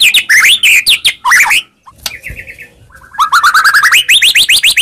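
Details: White-rumped shama song used to provoke a reply: varied slurred whistles, a soft pause with quiet repeated notes, then a fast run of repeated rising notes.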